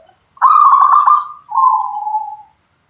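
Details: Single song phrase from a local zebra dove: a rapid rolling trill that slides into a steadier, slightly lower sustained coo, clear against a quiet background.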